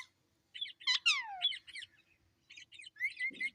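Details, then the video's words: Talking pet parrot indoors repeating a short word in a cute voice: bursts of harsh, harmonic syllables, one long falling whistled glide, then quick chattering notes and a rising tone near the end; quiet room. "Talking Parrot"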